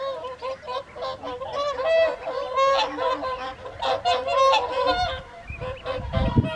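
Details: A flock of whooper swans at an evening feed on the Folly Pond, WWT Caerlaverock, in January 2023, gives loud, overlapping trumpeting honks, bugled notes tumbling over one another, with a low rumble near the end.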